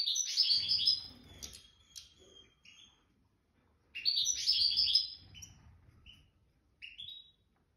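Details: Widani-style song from a nest-raised goldfinch of the jadr al-salaka line: two dense bursts of sharp, high chattering twitters with short buzzy notes, a low rumbling background and a brief final chirp.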